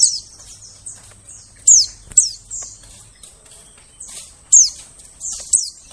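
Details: White-eye calls meant to lure birds in the forest: high, thin chirps sliding downward, some loud and crisp, others softer, repeated irregularly about every second.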